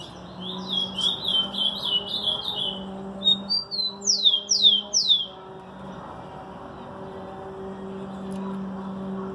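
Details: Rufous-collared sparrow (tico-tico) song: quick high chipping notes, then three clear, sliding downslurred whistles, over a steady low hum; an ultramarine grosbeak (azulão) is in the background.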